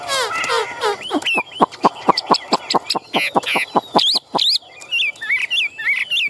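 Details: A caged Chinese hwamei for sale delivers a string of sharp clicking chips followed by bright looping whistles, with a man's voice briefly at the start.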